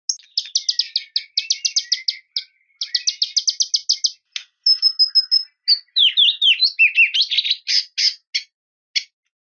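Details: White-rumped shama singing to provoke a rival: rapid runs of sharp high chirps, then a thin whistle and a mix of varied twisting notes and harsh shots, with short pauses between bursts.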